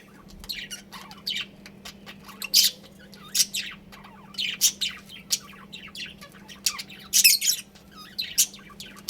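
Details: Budgerigars kept as home pets chirp and squawk in irregular bursts of high, sharp notes with some warbled twitters, a constant low hum underneath.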